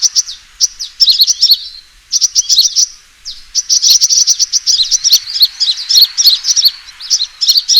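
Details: Lure recording of a sunbird's fighting call: excited, very high twittering bursts with short breaks near two and three seconds, then nearly continuous rapid chirping.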